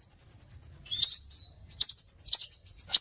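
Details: Scarlet minivet lure call: a quick run of thin, high, slurred whistles, then sharp chirps repeated about every half second, with bright, piercing accents near the end.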